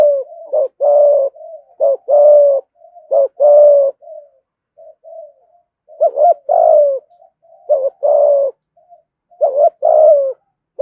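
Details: Spotted dove giving the urgent 'thúc gù' cooing in the low 'thổ' voice style, a full song from a lure bird: mellow, low coos grouped into short phrases, each phrase repeated about every one to two seconds, with brief gaps.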